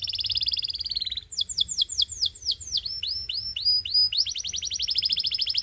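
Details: Canary of the Belgian breed in training song for young birds: a rapid rattling trill gives way to loud sweeping downslurred whistles, a series of rising chirps, then another quick metallic trill.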